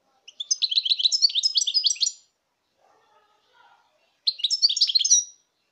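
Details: European goldfinch song, 2019: a rapid run of high, tinkling chirps lasting nearly two seconds, a quiet pause with faint soft sounds, then a second brisk twittering phrase.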